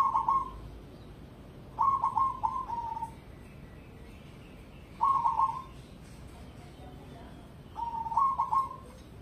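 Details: Zebra dove of the cemani type, kept as a competition bird, delivering four rolling cooing phrases. Each is a quick stuttered run of soft whistled notes ending in a drawn coo, spaced about three seconds apart.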